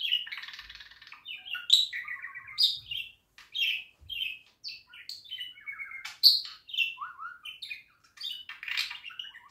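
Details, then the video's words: Long stretch of budgerigar warbling: buzzy chatter, chirps, clicks and short trills tumbling in irregular sequence, with occasional harsh noisy notes. "Kuşların tam istediği ötüş."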